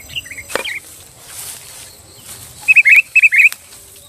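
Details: Sooty-headed bulbul song aimed at provoking rivals: a faint note early on, a sharp click, then two quick pairs of bright, warbled whistles near the end.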